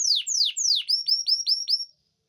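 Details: Canary song played to bring females into breeding condition and readiness to mate: three loud downward-sweeping whistles followed by five shorter, higher sweeping notes in quick succession, then silence.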